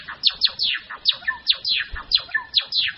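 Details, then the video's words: Grey-form Java sparrow pouring out quick descending whistled sweeps, several each second, with short level tones between them and a brief low thud near the end. "灰文鳥(爪哇禾雀)/Padda oryzivora(Gray-headed Mannikin)song"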